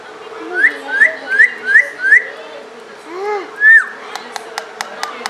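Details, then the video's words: Pet parrot, said to talk in Pashto, gives five quick rising whistles in a row, then a lower arched note and a sharp whistled upslur, followed by a steady series of sharp clicks or taps. "pathan tota, talking and whistling."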